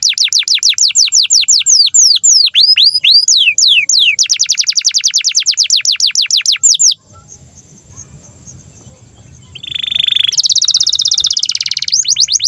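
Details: Canary song meant as a master for young canaries and birds that have stopped singing: long fast runs of descending whistled notes about three per second, a quiet gap, then a harsh buzzy trill and renewed sweeping notes.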